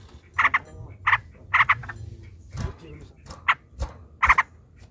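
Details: Yellow-vented bulbul used as a lure to rouse a rival gives short, clustered bubbly double notes in separate bursts against a background of low rumbling noise.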